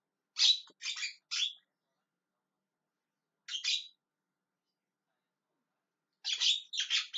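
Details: Javan myna calling in short bursts: three rasping squawks, a long pause, one more grating note, then another quick trio of scratchy calls.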